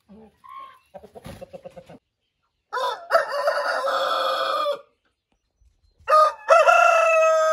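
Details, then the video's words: Roosters heard first with short soft clucks and a brief pulsed call, followed by two loud, drawn-out crows, each a harsh, rich, held cry lasting about two seconds, with a short pause between them. "Roosters crow"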